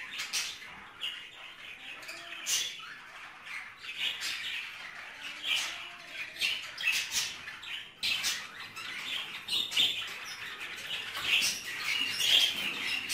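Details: Caged budgerigars during mating: continuous scratchy warbling and squawky chatter, broken by rapid clicking bursts and short sharp notes, running steadily throughout.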